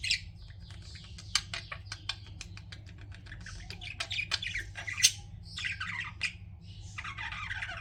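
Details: Chirping pet budgies produce a rapid series of sharp clicking ticks, then scratchy warbled phrases and squeaks, above a steady low hum.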